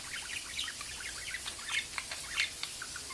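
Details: Pet budgerigar talking indoors: a rapid run of soft chirps and warbling notes, scattered irregularly over about three seconds, over a steady background hiss.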